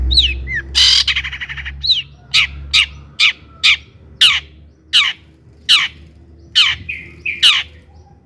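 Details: Long-tailed shrike song used as a provocation for other shrikes: a few slurred whistles and a harsh burst, then a steady series of sharp, clipped notes roughly every half second.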